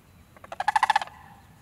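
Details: Sandhill crane, an apparent winter visitor to a park in Lancaster County, Pennsylvania, preening and walking about. It gives one loud, rolling, trumpeting rattle of about ten rapid pulses lasting roughly half a second, swelling then fading, over a quiet background.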